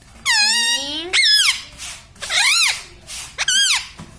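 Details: Talking parrot kept as a pet, known to repeat "mummy papa" and "Sita Ram": four loud, strained, harmonic syllables, the first a long rising slur, the rest arched rise-and-fall notes.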